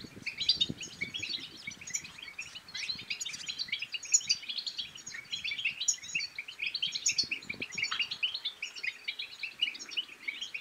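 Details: Stimulating goldfinch song, bitbita style, aimed at rousing males and females to sing and mate: long unbroken stream of jangling chirps and liquid twitters, steady and busy throughout.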